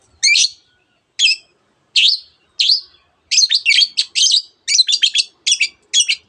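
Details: Long-tailed shrike singing mimicked notes: several separate sharp, high chips, then faster clustered chattering phrases of squeaky, buzzy notes.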